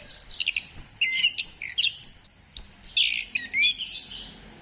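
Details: Orange-headed thrush singing, a recording meant to stimulate other birds to sing: quick phrases of high whistles, buzzy trills, and downward slurs, delivered in a continuous chattering run.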